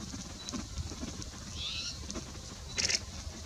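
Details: Spotted Towhee at Prince Edward Point National Wildlife Area, Prince Edward County, Ontario, on 20 November 2019, gives a single drawn-out, mewing, slightly rising call, then a brief harsher note, over rustling and low background noise.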